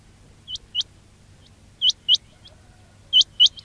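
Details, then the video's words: Quail call recorded as a trapping lure: high, upward-flicking notes delivered mostly in pairs, each pair separated by about a second of near-silence. "quail batair ki awaz"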